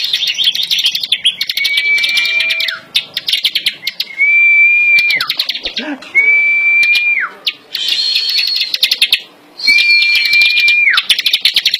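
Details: Bar-winged prinia singing in a contest against another bird while held in the hand without a cage. The song is a dense, high, buzzy chattering trill. Four long, flat whistled notes, each ending in a sharp downward slide, break up the trill.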